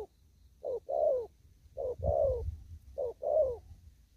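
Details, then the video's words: A spotted dove in an upland field coos in the 'đồng thúc gù' manner: three pairs of a short coo and a longer falling coo, about 1.2 seconds apart, over a low rumbling background. "Cu Gáy. Đồng thúc gù."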